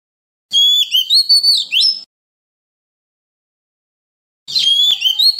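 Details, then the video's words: Forest-voice song of an Oriental magpie-robin, meant for training young birds and prompting wild-caught birds to sing: a short burst of bright, sliding whistled notes, a silence of over two seconds, then another lively phrase. "Luyện giọng chim non kích chim bổi hót mỗi ngày với giọng rừng cực chuẩn | Kích Choè Than Hót"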